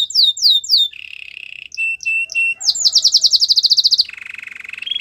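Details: Belgian canary singing as training for a silent canary: descending whistled slurs, a low buzzy roll, clipped chips, then a rapid high trill dropping into a lower rolled tour.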